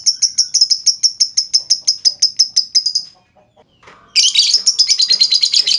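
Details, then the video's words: Lovebird lure: a run of quick, even, bright ticking notes for three seconds, a short pause, then a loud, harsh, rapid chattering trill. "Auto Bikin Gacor Burung Lovebird Lain Dengan Pancingan LB Ngetik Lanjut Ngekek Panjang"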